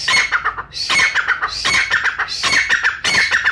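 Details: Brown francolin of Pakistan, a hunters' recording: loud, harsh, repeated phrases of clipped grating notes topped by a shrill whistle, coming roughly every half second to second with no pause.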